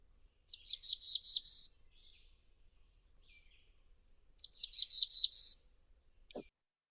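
Black-throated Blue Warbler sings two buzzy, high phrases of about six notes each, with the last note rising. A brief soft click follows.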